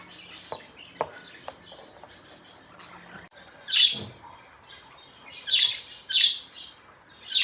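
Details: Budgerigars kept as pets chirp in the morning: soft clicking chatter and short ticks, then several loud harsh squawks in quick bursts toward the end.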